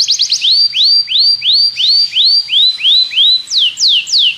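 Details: Belgian canary singing to train other canaries: a few quick notes open a steady run of upswept whistles, about three per second, ending in three sharp downward-sweeping notes.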